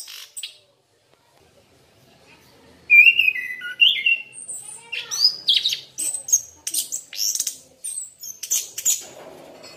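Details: Orange-headed thrush song used as a lure to draw a response, after near silence: varied whistled phrases, some rising and falling, mixed with sharp high chirps and scratchy notes in an irregular, lively sequence.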